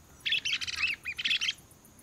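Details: Lesser wagtail-tyrant (Stigmatura napensis) at Sítio Pau Preto, Potengi, gives a quick, high chattering burst of sharp notes with a brief pause in the middle, over a quiet background.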